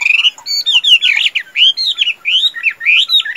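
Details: Captive Chinese hwamei, a purebred bird described as a good singer and fighter, singing a rich, fast run of loud whistled phrases, slurred up and down, several per second with no pause.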